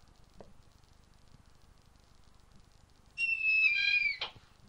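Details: Snowy owl nesting in an enclosure at a breeding nursery gives one high, clear whistle of about a second, rising slightly, then a short knock; otherwise near silence.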